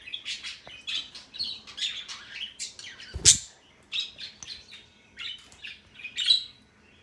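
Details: A male parrot repeats a sound it keeps making today: rapid high chirping and squeaky notes throughout, broken by one loud harsh, broadband squawk partway through and a sharp shrill note near the end.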